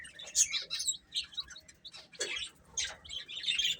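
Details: Chicks eating, clear high peeps in short groups separated by brief gaps, with light clicking from pecking or movement.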